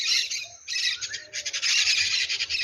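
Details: At sunrise on a farm below a large hill, with a rooster also around, maritaca parrots pass giving harsh, grating squawks in rapid bursts, a brief pause, then a longer run of raspy chatter.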